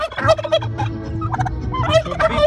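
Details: Domestic turkeys, called guajolotes or chompipes, gobble while a man sings to them: quick, rattling gobble bursts rise and fall through the clip over his low voice.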